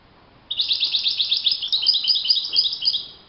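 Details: European goldfinch singing in the wild: a run of rapid, evenly spaced chattering notes that shifts into higher, liquid tinkling phrases, about three seconds of continuous song.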